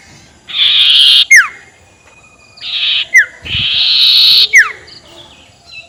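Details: Spotted owlet giving a ngekek call used as a lure to provoke rivals: two long harsh, raspy screeching bursts, each ending in quick sharp descending whistled notes, separated by a short silence.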